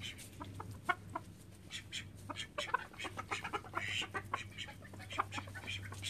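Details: Thirteen call ducks kept at home: irregular loud raspy quacks and short nasal calls from several birds, one longer drawn-out call midway, over a constant low electrical hum.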